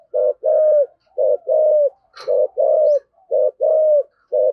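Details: Cooing spotted dove with a 'thổ sấm' voice, 'thúc gù' style. Steady pairs of deep, hollow coos, each a brief note then a drawn-out one, with a short crackling noise midway.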